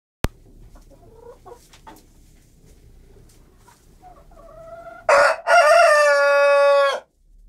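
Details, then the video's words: Piñeira breed breeding rooster crowing in the morning, waking the household: soft clucks and clicks, then one loud harsh crow with a brief break and a long sustained ending, cutting off abruptly. "Gallo despertador 🐓 Así nos despertamos por las mañanas"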